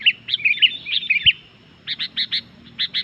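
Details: Sooty-headed bulbul singing noisily in 'gacor' style, said to anger rival bulbuls: a quick string of rich, rolling whistled notes, a short pause, then a series of short, even chirps repeated several times.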